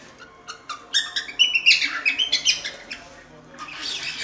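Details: Training song for cockatiel chicks learning to sing, with scattered chirps building into a quick burst of bright warbled and squeaky notes, then trailing into hiss.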